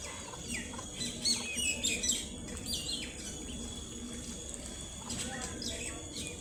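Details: A brood of baby ducklings playing and exploring, giving high, thin peeps that slide downward, uttered in quick irregular bursts of several notes, over a steady low background rumble.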